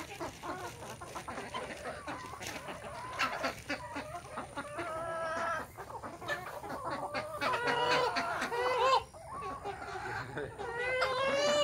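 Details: Morning at a village desi chicken farm with natural hatching: several hens give drawn-out, wavering clucks and cackles over a steady murmur of flock chatter, calls growing louder toward the end.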